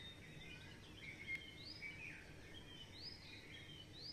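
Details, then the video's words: Birds chirping in the early morning dawn chorus: faint, thin whistles and short rising and falling notes from several distant birds over a steady hiss of background noise. "The chirping of birds in the early morning."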